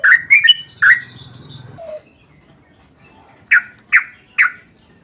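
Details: Yellow-vented bulbul singing in a long rapid run, used as a lure to set other bulbuls singing: a few bright, quick slurred notes, a low buzzy murmur, a pause, then three sharp separate chirps.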